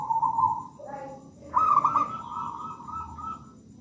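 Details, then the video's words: Local wild zebra dove song: a high trilled coo, a short lower note, then a rising burst leading into a long, slightly wavering high trill that fades out. "PERKUTUT GACOR MERDU MEWAH"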